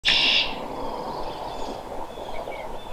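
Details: Red-winged blackbird, the male's conk-la-ree song that marks territory and attracts females: a loud, shrill buzzy trill lasting under half a second at the very start, then quiet background hiss with faint distant chirps.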